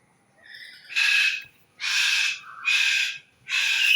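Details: An unnamed bird gives four loud, harsh, broadband screeching bursts, each about half a second long and spaced under a second apart, with a softer tonal lead-in before the first.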